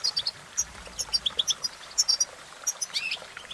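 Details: European goldfinch giving a sparser run of high, clipped chirps and tinkling notes in loose bursts, ending with a brief rising, warbled phrase, over faint background hiss.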